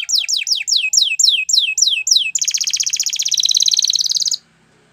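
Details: Gloster canary singing: a fast series of about ten loud descending whistled sweeps, then a rapid buzzy trill held for about two seconds before stopping abruptly; faint low hum beneath.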